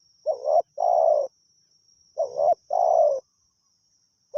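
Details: Decoy spotted dove calling on and on to bring in wild doves. Two hoarse coo phrases, each a brief quavering note leading into a longer falling coo, about two seconds apart, with a thin steady whine behind.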